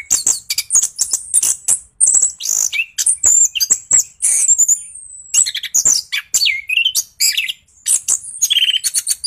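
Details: Continuous energetic orange-headed thrush song meant to prompt other birds into answering: dense streams of high, sharp chirps, whistled slurs and rolling trills, barely pausing, with some rising and falling swooping notes.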